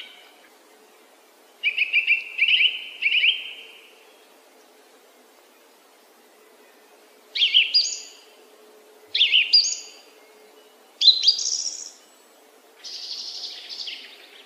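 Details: Song thrush song with distinct phrases split by silent gaps: a twice-given buzzy note pair, then bright high phrases repeated in pairs, ending on a squeakier motif.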